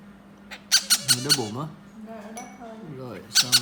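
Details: Yellow-crowned amazon chick during hand-feeding. Four grating squawks in a quick burst are followed by a person talking, then two more harsh squawks at the end.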